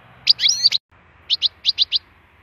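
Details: Wild European goldfinch for song stimulation: a fast twittering phrase, then a brief gap and five evenly spaced clear chirps.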